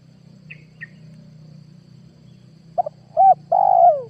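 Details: Spotted dove call used as a lure to attract wild doves for trapping, 2022. Two faint high chirps, then a short phrase of three soft coos rising in loudness near the end, over a constant low hum.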